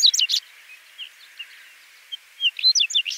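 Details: Whinchat with a short burst of rapid scratchy chirps, a few soft isolated notes, then another fast jumble of high twittering and whistled notes.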